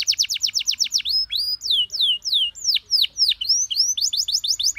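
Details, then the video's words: Canary master song meant for other birds to imitate easily: a quick rattling trill, then slower swooping whistles repeated at an even pace, then a rapid trill again. "MASTERAN KENARI PAUD CENGKOK ENAK GAMPANG DITIRU"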